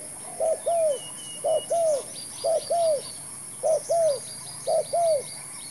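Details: Spotted dove used in decoy trapping, cooing in low, soft double notes: a short coo followed by a longer, rolling, bent coo, repeated five times at roughly one-second intervals, with faint high chirps and a steady high hiss behind.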